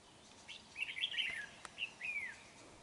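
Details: Red-whiskered bulbul used as a lure bird while trapping wild bulbuls, recorded 31 January 2019: bright warbled whistles near mid-high pitch, a rapid jumbled phrase then a separate rising-falling slurred note, over a faint hiss.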